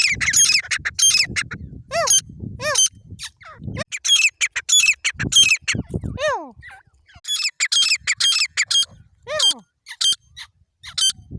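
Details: Grey francoline calling in loud, harsh, squawking bursts of bright broken notes, repeated in uneven runs with short gaps, mixed with several slurred notes that drop steeply in pitch.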